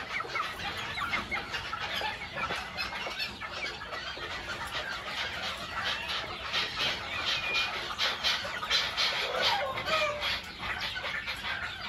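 White Faverolles hens clucking and murmuring in an overlapping, busy chorus, with a few higher squawks mixed in.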